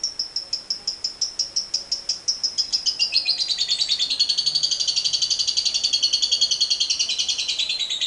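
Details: Lovebird building into a long 'ngekek panjang' chatter used to trigger other lovebirds: spaced high clicking notes quicken over two seconds into a dense, harsh, buzzy trill that runs on, wavering in pitch, until the end.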